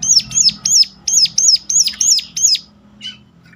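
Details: Piercing lure call of a Sunda warbler: eight shrill, down-curving notes at a brisk steady pace, trailing off into faint quieter chips, with low background hum.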